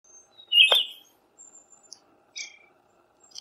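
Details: Siberian thrush song: one loud, rich whistled phrase of about half a second around mid pitch, followed by fainter thin high notes and a brief twittering phrase; otherwise quiet background.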